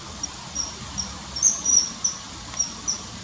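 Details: Common kingfisher at a river, September 2020, uttering high, thin whistles: scattered single notes, then a louder, slightly drawn-out pair in the middle, over quiet hiss.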